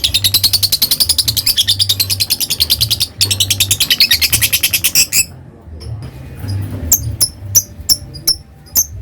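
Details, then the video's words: Lovebird ngekek chatter as a dense, rapid stream of harsh high notes for about five seconds, then stops, followed by scattered separate sharp chirps against a low hum. "Suara Love bird Bikin Emosi Lawan ngetik lanjut ngekek"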